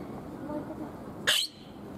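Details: A Palawan peacock-pheasant singing at Ueno Zoo, Tokyo, Japan, gives a single loud, sharp note that sweeps quickly upward, after a murmur of human voices in the background.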